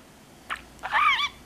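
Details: Caged male budgerigar, three years old, living in Mie Prefecture and copying Kansai-dialect words from its owners, makes a short scratchy syllable, then a longer warbling, speech-like phrase with wavering harmonics, during a morning greeting exchange. Human talk can be heard around it.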